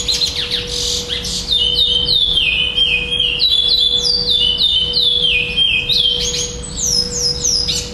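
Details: At a singing tournament in Florianópolis on 11 December 2011, a black chestnut-bellied seed finch (curió), placed second, sings clear, high whistled phrases of sliding, falling notes, repeated steadily without pause, over a constant low electrical hum.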